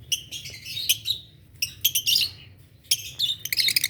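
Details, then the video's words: Adult green Fischer's lovebirds chirping in the morning: shrill, scratchy bursts from several birds overlapping in rapid clusters with short pauses between them, against a faint low indoor hum. "lovebirds chirping sound"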